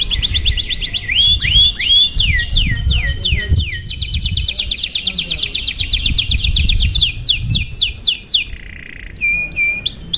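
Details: Canary delivering a long, showy song to set other canaries singing: rows of rapid falling whistles, a few rising slurs, a brief low buzzy roll and high whistled upsweeps, over steady low background noise.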